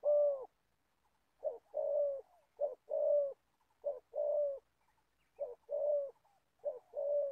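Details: Decoy spotted dove, an old trapping bird from Gia Lai, Vietnam, gives five unhurried coo phrases. Each pairs a brief opening note with a longer steady coo, separated by uneven pauses of about a second. Background is silent.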